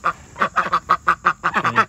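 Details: Two pet domestic ducks quacking as they want out of the coop when the door opens, turning into excitement: a fast run of harsh, nasal quacks, about ten in two seconds, the later ones overlapping.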